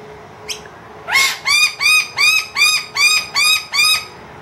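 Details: Wild noisy miner with two young inside a room, loudly demanding food once the feeder runs empty. After one faint note come eight harsh, arched, ringing calls at an even beat of about two per second.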